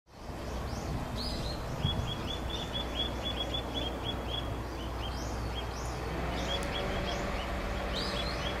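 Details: Wood sandpipers (Tringa glareola) in Okinawa, Japan, give quick strings of short, high, clipped whistles, several notes a second, over a steady low wind or engine rumble.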